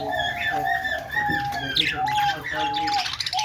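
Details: Budgies making happy sounds: a soft, continuous warble with long level whistled notes and a few rising chirps, mixed with chattering that sounds almost like talking, over a low hum.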